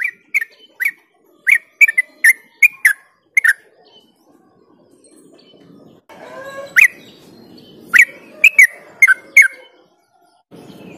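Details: Yellow-vented bulbul (merbah cerukcuk, Pycnonotus goiavier) giving quick, bubbly chirped notes in rapid bursts, about three per second, with a later run over a low background rumble.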